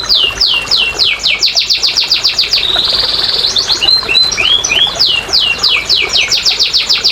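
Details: Canary song played as therapy for canaries reluctant to sing: quick repeated downslurred whistles, a brief buzzy trill, then swooping notes and more rapid descending whistles.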